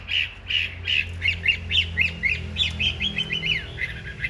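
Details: A big-bodied caged Chinese hwamei in a fighting display singing a fast series of buzzy, slurred notes, about four each second, slightly rising in pitch toward the end, over a low background drone.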